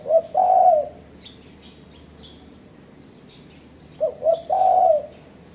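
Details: Spotted dove call used as a trapping lure to pressure rivals: two short low coos and a long drawn-out coo, heard twice about four seconds apart, with faint high chirping from other birds behind.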